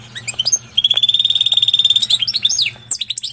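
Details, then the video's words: Canary and European goldfinch hybrid singing: high twittering notes, then a long rapid trill of repeated chips, ending in quick slurred whistles, over a faint low hum. "Pintagol de canaria x pintassilgo português canta muito!"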